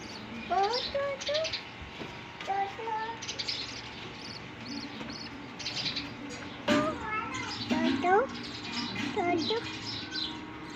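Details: Budgerigars (Melopsittacus undulatus) chattering with quick, twisting chirps and warbled notes that rise and fall in pitch.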